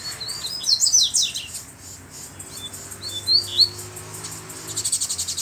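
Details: Double-collared seedeater calling another to fight, not lowering its display song: a loud cluster of high slurred whistles and downward sweeps, a pause, then three rising slurs and fast rhythmic chips.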